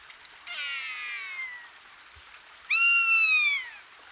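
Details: Rough-legged buzzard (Buteo lagopus) at Hortobágy, Hungary, 19 March 2022, giving two drawn-out, plaintive mewing calls, each about a second long and slurring downward, with a short pause between them and a quiet background.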